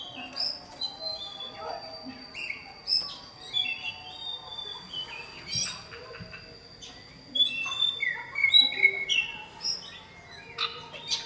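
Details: Male oriental magpie-robin calling a female, with a fainter jumble of high whistles, short chirps and slurred notes, plus a thin steady high tone through the background.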